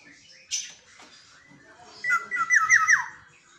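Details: Black-naped Oriole kept as a caged pet and heard each dawn: after one brief harsh note, a clear fluty phrase of four or five bouncing whistled notes ends in a falling slur.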